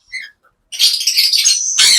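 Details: A green-cheeked conure at a pet shop in Pathanamthitta, Kerala, gives a couple of short chirps, then a long, harsh, raspy squawk lasting over a second, followed by another burst.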